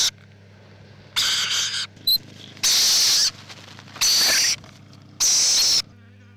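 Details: Nesting rainbow lorikeet gives four harsh, shrill screeches, each about half a second long and spaced roughly every one to one and a half seconds, over a low steady hum.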